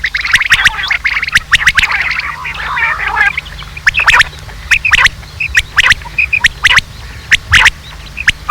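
Rain quail calling in sharp, metallic clicks, roughly one a second and unevenly spaced, over a dense high chattering in the first few seconds.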